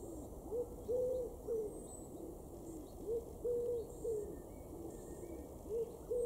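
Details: A common wood pigeon in a garden in Weener, East Frisia, northwest Germany, in July gives soft, husky low coos in a rhythmic phrase of short and drawn-out notes, repeated steadily, with faint high bird calls behind.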